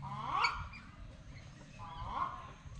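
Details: Wild duck at a zoo gives two harsh, nasal honking calls about 1.7 seconds apart, each with a rich harmonic buzz, over a low background rumble.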